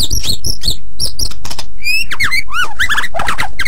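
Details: Lively white-rumped shama song meant as training material for other songbirds: high clipped chips and trills, then clear whistled slurs swooping down and up, a fast, rich medley of varied notes.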